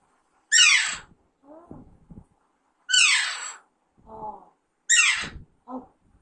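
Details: Three harsh, rasping, downward screeches from a pet baby Alexandrine parakeet raised from young, each followed by quieter, lower chattering notes.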